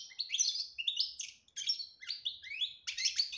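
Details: Goldfinch song in the betbta and tasfiya style: lively high twitters and short rising slurred notes delivered in quick clusters with brief gaps, clear and loud over near-silent background.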